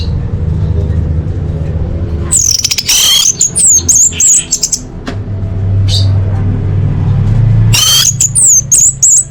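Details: Female orange-headed thrush calling males, kept as a lure to coax silent birds into singing: two bursts of high, sharp whistled notes sliding and twisting, separated by a gap, over a steady low hum and rumbling background noise.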